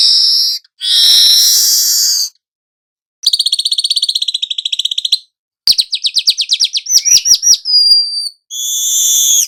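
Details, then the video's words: Young weaver singing actively, used as a lure to train other birds: long buzzy hissing notes, a series of rapid clicking pulses, then quick rising chirps and a thin high whistle, separated by short silences. "Burung manyar muda AKTIF NGEROL pancingan segala jenis burung"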